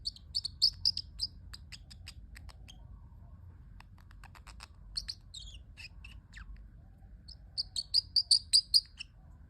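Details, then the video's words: Pet parrotlet giving cute sounds: rapid bursts of sharp high chirps and tweets, clustered at the start and again near the end, with quieter scattered squeaks between and a faint low hum beneath. "parrotlet making cute sounds"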